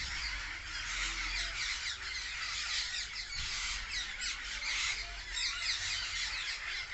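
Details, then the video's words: Flock of parrots filling a tree, calling loudly together: a dense, unbroken wall of overlapping shrill screeches and chirps with no pauses, steady in loudness throughout. "A Tree Full Of Parrots| Natural Parrot Sounds| Loud Parrot Chirping"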